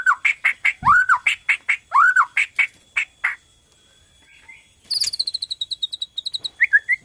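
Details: Borneo white-rumped shama singing to trigger song in other shamas: a rapid rhythmic series of arched whistled notes, a quiet gap, then a fast high trill and a few closing whistles.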